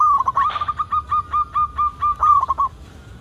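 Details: Local zebra dove singing vigorously, used as a lure to get other zebra doves singing: a steady run of about ten short, even cooing notes on one pitch, each ending in a quick dip, with a brief rougher note early on.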